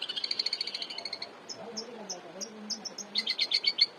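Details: Long-tailed shrike singing actively, offered as master song for tutoring cage birds; quick run of high chattering notes, then spaced thin whistles, ending in a fast loud chirping burst.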